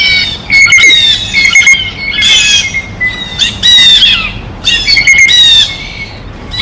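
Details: Blue jays observed eating at their feeder: harsh squawking calls in irregular loud bursts with rough, noisy texture and tonal overtones, steady background noise throughout.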